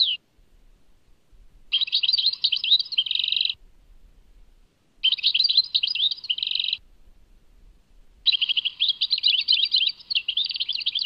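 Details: European goldfinch singing at Tadmait: three bursts of bright, high twittering, each about two seconds long, with short silent gaps between them.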